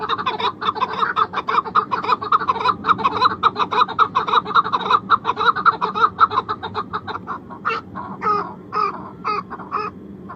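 A Chukar gives a fast run of dry, clucking chuk notes, then slows into louder, separate two-part chuk-ar phrases near the end.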